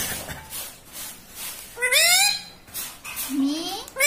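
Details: Talking parrot imitating human words, said to say papa and mummy; loud, squeaky, speech-like utterances with sweeping rising and falling tones, two long bright phrases separated by pauses, in a quiet indoor setting.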